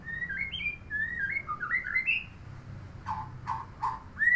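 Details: A murai (shama) kept by a neighbour delivers a chain of clear whistled phrases that climb and dip. Three gruff, falling notes follow, and the passage ends on a sudden loud whistle.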